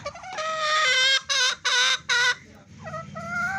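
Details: Fancy hen calling: a long drawn, harmonic-rich squawk followed by three short loud clucks in quick succession and a softer rising note, with faint low background hum.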